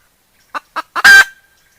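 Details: Decoy hen giving three short rising clucks that lead into one loud, rough, prolonged squawk, then silence.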